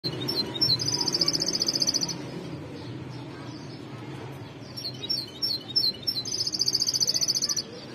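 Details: Goldfinch of the white-necked type singing: rapid, high twittering notes with two long buzzy, fast trills, separated by a short lull before the twittering resumes; faint low background hum.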